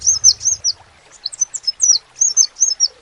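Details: Crimson sunbird (sepah raja) with a short phrase of piercing, high tweets. Three quick notes, then scattered sharp chirps at uneven intervals. Faint low hum at the start.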